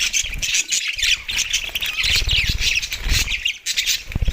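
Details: Australian budgies eating soft food, December 4, 2023: high scratchy chatter and squawky chirps, with low thumping and rustling from feeding underneath.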